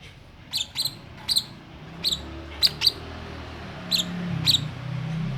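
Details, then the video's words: Two-month-old lovebird calling in response to hearing a cough: short sharp high chirps, singly and in pairs, spaced irregularly over a few seconds against a low background rumble. "Love bird umur 2 bulan . Denger batuk langsung bunyi"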